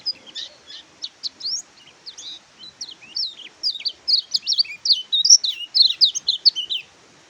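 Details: Oriental white-eye in full song: rapid high twittering whistles, first in short, spaced notes, then a faster, louder stream of warbled slurs through the middle and end.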